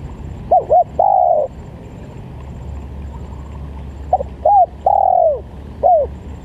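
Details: Spotted dove calling, used as a dove lure: two brief rising-falling notes followed by a drawn-out, gently descending coo, the phrase given twice with a pause of nearly three seconds between, faint low rumble behind.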